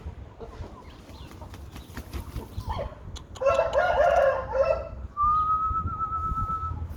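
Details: An Aseel rooster gives a strong, raspy crow lasting about one and a half seconds over a background of clicks and low rumble. A long, thin, level whistled tone follows the crow.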